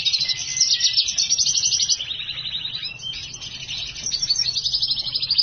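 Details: Black-hooded siskin x house finch hybrid singing steadily: rapid trilled and twittering phrases, high and busy, running almost without pause, with fast buzzy rattles and a slight dip in pitch midway.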